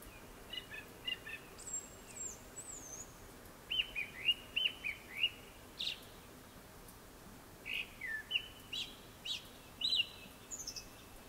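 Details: Song of a Japanese thrush before sunset, with thin high squeaky notes followed by series of sharp whistled phrases repeated about twice a second, some slurring downward, ending with high thin trills.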